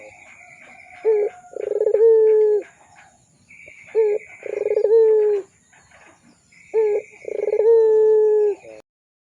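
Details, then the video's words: Actively singing Barbary dove of the pelung type, recorded as a lure and tutor for young birds: three coos about every three seconds, each a short note then a pulsed start drawn into a steady low tone, with faint high chirps between. "SUARA PANCINGAN BURUNG PUTER PELUNG GACOR COCOK UNTUK MASTERAN PUTER BAHAN MUDA"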